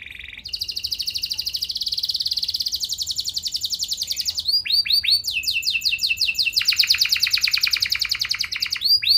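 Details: Canary in strong song intended to make other canaries reply, beginning with a short low note, then a long sustained buzzing trill, a run of arched whistled notes, and another long rapid rattle ending in swoops.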